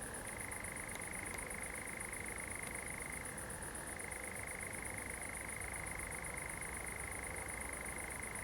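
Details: Night song of a common nightjar in a pine plantation at Zamudio, Txorierri, Biscay, 7 July 2020: a sustained rattling churr that briefly shifts lower in pitch midway before returning, a few faint ticks early on.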